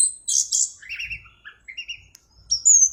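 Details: Short singing bout from an orange-headed thrush: high whistled notes, then lower warbled phrases, ending in a thin rising whistle and a sharp click.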